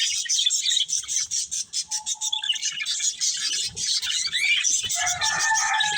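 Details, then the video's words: Budgerigar breeding pair chattering steadily with dense, scratchy high chirps and warbles; a brief clear whistled note near the middle and a few lower rising squawks toward the end. "Cute Budgies Chirping Sounds"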